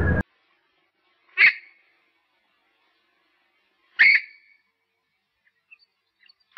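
Purple Swamphen giving two short, harsh, nasal squawks about two and a half seconds apart, with a brief low thump at the start and faint clicks.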